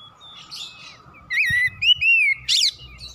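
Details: Oriental magpie-robin in full song, used to stimulate the bird: rich looping whistled notes that swoop up and down, broken by a sharp scratchy burst, with softer faint notes before.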